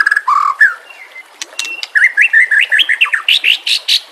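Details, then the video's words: White-rumped shama singing on a training recording set with nature sounds and flowing water: a low whistled note, sharp clicks, then a quick rising run of short chirps climbing higher toward the end. "Terapi Murai Malas Bunyi Dengan Pancingan Mewah Isian Terbaik"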